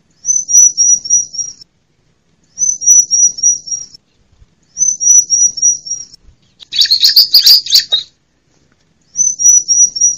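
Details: Lure call of a female bar-winged prinia for prompting lazy captive males and attracting wild birds: four bursts of rapid, high, thin repeated notes about every two and a half seconds, with one harsher, noisier chattering burst.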